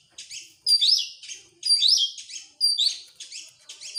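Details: Oriental magpie-robin, sung as a lure for other birds, giving a clear rising whistle followed by buzzy trills, phrase repeated roughly once per second.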